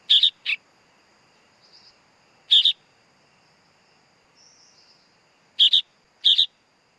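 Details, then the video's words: Sooty-headed bulbul chick giving harsh, raspy double-noted calls in short bursts, two at the start, one near mid-clip, then a quick pair near the end, over a steady faint high hum. "Suara Anak Burung Kutilang Bayi Kutilang"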